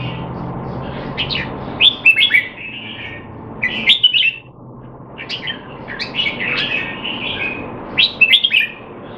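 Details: Red-whiskered bulbul kept caged in Singapore, trained to stay sharp though not in form, December 2020: bright warbled phrases about every two seconds, each a quick cluster of rising and falling notes, other birds chirping behind.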